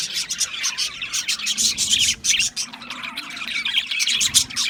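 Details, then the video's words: A group of budgerigars keeps up a busy warbling chatter. High chirps and buzzy twitters come in rapid bursts, with short dips between louder clusters. "Natural Parakeet Singing Birds | Parrots Chirping sounds"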